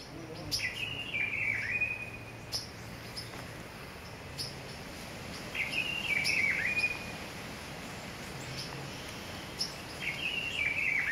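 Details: Blue-throated (Gray's) piping guan (Pipile grayi) at Pouso Alegre, Pantanal, Brazil, on 23 September 2013 gives thin, high whistled phrases with a slight rise and wavering end, about every four to five seconds, over faint clicks and hiss.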